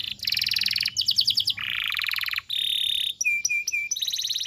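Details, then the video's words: Canary tutor song for teaching young birds: a sequence of buzzy and rattling trill tours at shifting pitches, broken by brief pauses and a few clear short whistles near the end. "PANCINGAN KENARI GACOR DURASI DURASI PANJANG UNTUK MASTERAN KENARI PAUD BELAJAR BUNYI DAN GACOR"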